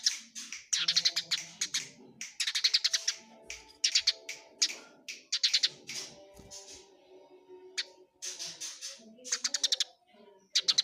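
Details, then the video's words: Fighting Eurasian tree sparrow giving dense, rapid series of harsh high chirps, runs of quick notes repeating almost without break over the whole stretch. "suara greja tarung jernih"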